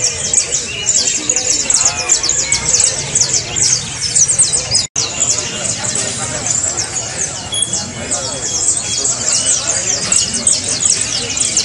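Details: Saffron finch song, meant to get a silent cage bird singing: continuous high, overlapping chirps and trills with a short break just before the fifth second.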